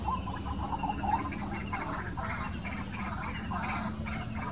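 A White-breasted waterhen gives harsh, croaking, gurgling notes, repeated about twice a second at a steady pace, over a low rumble of background noise.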